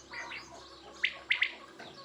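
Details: Quail giving a brief call: a soft, blurred chirp, then a crisp trio of sharp, high, clipped notes in quick succession against a quiet background.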